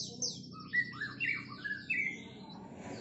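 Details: White-rumped shama in a competition, loud rich song of varied whistled phrases and sharp sweeping notes, some rising and falling, delivered in quick bursts over a low background hum.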